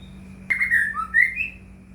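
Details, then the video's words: White-rumped shama song played as a lure to make other shamas sing: a brief sequence of clear whistles, dipping then rising to a higher note, over faint hum. "murai batu gacor AMPUH buat PANCINGAN murai batu agar bunyi"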